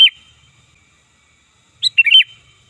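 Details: Sooty-headed bulbul lure call: a brief note cut off at the start, then after a pause one lively phrase of a sharp rising note and a rolling, bubbly three-part warble.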